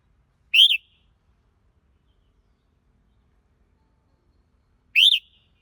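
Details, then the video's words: Red-whiskered bulbul giving two matching short, rising-and-falling whistled notes about four and a half seconds apart, with a quiet background. "Chào Mào Hót Hay Nhất"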